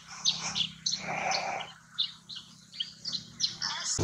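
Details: Chestnut-shouldered petronia, the yellow-throated sparrow, recorded in Purulia, West Bengal, India, November 2019: bright high chirps in an uneven series over a low background hum, partly masked by a broad rushing noise early on.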